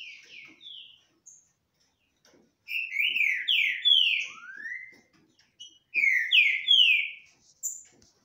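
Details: Green-winged saltators singing face to face without fighting; loud phrases of rich, slurred whistles falling in pitch repeat twice, with a long rising note between them and quiet clicks around.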